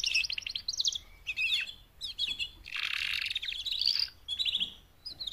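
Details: Four female canaries calling to encourage a male canary to sing. Fast stuttering trills and dense chattering bursts come in irregular groups, with a few clear whistled notes between, bright and high-pitched.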